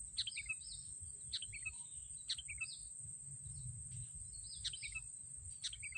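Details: Sooty-headed bulbul at a trapping site using racik sticks, giving quick chirpy phrases of a sharp downward note and fast twittering notes, repeated at uneven short intervals, with a constant high-pitched hiss and low background rumble.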